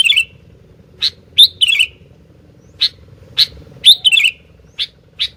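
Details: Sooty-headed bulbul, lively and calling nonstop, giving short sharp chirps and brief trilled bursts at irregular intervals, about ten notes in five seconds, over a faint low hum.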